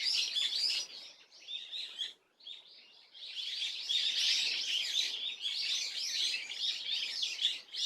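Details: Swallow recorded on 30 April 2024: continuous rapid high-pitched twittering and chirping, breaking off briefly after two seconds, then resuming louder and denser.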